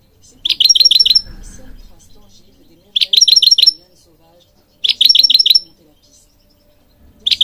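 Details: European goldfinch singing for bird training: four repeated bursts of quick, rolling notes, each about half a second long, with a faint high whistle over them and pauses of roughly two seconds.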